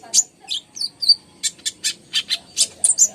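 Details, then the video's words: Kolibri ninja singing to stir quiet birds into song. Sharp high chirps, short slurred whistles and evenly spaced chips come roughly every quarter second. "PANCINGAN KONIN GACOR, COCOK BUAT BURUNG SUSAH BUNYI"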